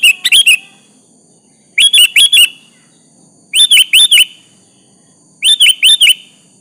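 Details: Sooty-headed bulbul in full song, calling out a rival to provoke a reply; four bright, chirpy phrases of three or four slurred whistled notes, evenly spaced about two seconds apart.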